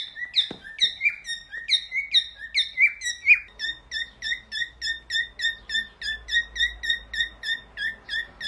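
A cockatiel whistles a quick series of clear, bright notes, sliding at first, then evenly repeated.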